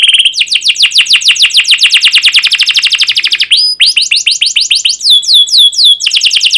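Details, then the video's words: Caged canary in loud, continuous 'gacor' rolling song used as a lure for young birds: fast repeated downslurred chirps, then a short pause and a fresh run of sharper, higher notes in quick succession. "PANCINGAN Kenari GACOR PANJANG Cuit CUIT EMOSI ini AMPUH utk MASTERAN Kenari PAUD belajar BUNYI"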